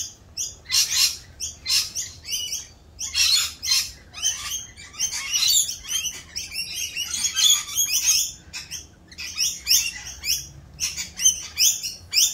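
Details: Rainbow lorikeets calling raucously in mating season while doing their mating dance; bursts of shrill, harsh screeching chatter in rapid clusters separated by short gaps.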